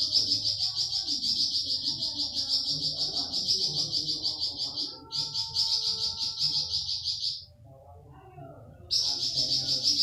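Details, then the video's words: Flamboyan bird 'tembakan' song for tutoring pet birds: a continuous high, shimmering trill of fast repeated notes, broken by a short gap and a longer silence near the end, with soft low background sounds. "Tembakan Burung flamboyan"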